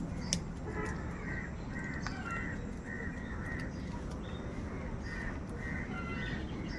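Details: Many crows calling in the morning, a steady series of short, harsh, nasal caws repeated about every half second, overlapping one another, with a low rumbling background and occasional sharp clicks.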